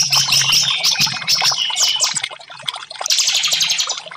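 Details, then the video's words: Orange-headed thrush song, used as a therapy recording to prompt silent caged birds to sing: dense bursts of high whistled and chattering notes, a pause near the middle, then a busy rush of rapid notes, with faint low hum beneath. "TERAPI Burung Anis merah 5menit burung macet langsung respon"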